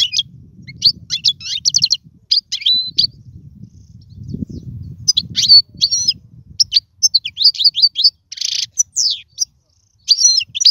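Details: European goldfinch song for training young birds: twittering phrases and a looping whistle, a buzzy note near eight seconds, and a low rumble in the background during the first half.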